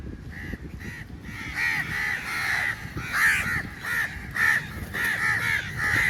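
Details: A large flock of crows calls loudly while attacking food at feeding time, harsh caws overlapping almost continuously from many birds at once.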